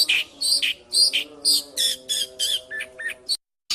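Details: Oriental magpie-robin (kacer) singing in the ngipas style: short bright chirps and whistled notes in bursts about twice a second, over a steady low humming tone, ending in a brief silence.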